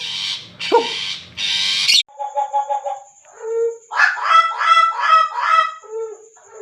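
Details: Tame butcherbird from Papua: harsh, noisy squawks open the passage, followed by clear harmonic whistled notes and a run of rich, warbling phrases with mellow, flute-like tones.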